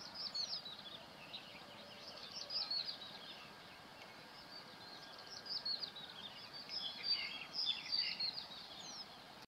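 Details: Chinese penduline tits in Hong Kong give thin, very high chirps and twittering notes in loose, irregular bursts over a steady background hiss.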